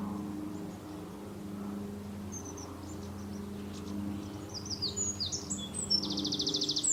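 Long-tailed tits give thin, very high see-see notes, ending in a quick buzzy rattle, over a steady low mechanical hum.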